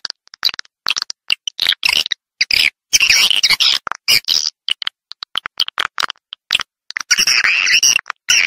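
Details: Swiftlet calls in a Vietnamese-style recording: dense bursts of buzzy, chirping twitters, high and rasping, broken by abrupt silences and short clicks throughout.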